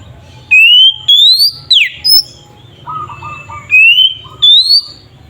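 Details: White-rumped shama song used as a lure to make other shamas sing: rising whistled phrases, a steep downward slur, a brief high note, then softer warbled notes before more loud rising whistles, over faint low hum.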